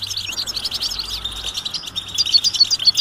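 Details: European goldfinch mating and readiness calls meant to make a silent male start singing: dense, continuous twittering of fast buzzy and tinkling notes, growing louder and more spaced toward the end.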